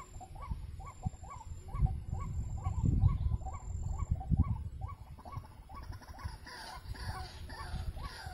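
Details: White-breasted waterhen, called wak-wak or kreo padi, calling at a trapping spot: rapid rhythmic hooked notes that run on for several seconds before a burst of hissing noise covers the end.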